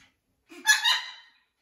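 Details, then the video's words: Single harsh, raspy squawk from a blue-and-gold macaw settling into a new flock at a parrot rescue, rising quickly and then trailing off within about a second. "Blue & Gold Macaw is adapting to his new flock. Lots of parrot talking."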